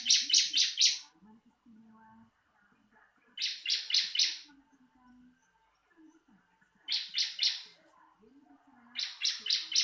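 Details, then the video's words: Bar-winged prinia, possibly caged, giving short bursts of four rapid, buzzy high notes, repeated about every three seconds, with quiet lower chirping and warbling between bursts. "Marteran burung ciblek langsung bunyi"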